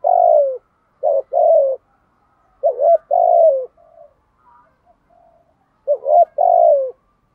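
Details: Decoy spotted dove giving its 'thúc gù' coo, used to lure wild doves. Three low phrases, each a short rising note then a longer falling coo, with softer notes in the gaps and an otherwise quiet background.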